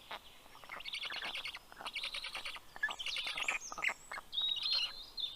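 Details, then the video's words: Young black storks at their nest in Karula National Park, southern Estonia, beg from the male bringing fish, 11 June 2023, late morning; grating, rapid rasping pulses, then ringing whistled songbird notes take over near the end. "Funny greeting sound by the Kids"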